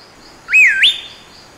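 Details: Loud whistle of a Rufous Piha, recorded in Costa Rica in 2021 with a Fujifilm XH1: the clear note bends down, then rises abruptly to a high, sustained tone lasting about half a second, against quiet forest background.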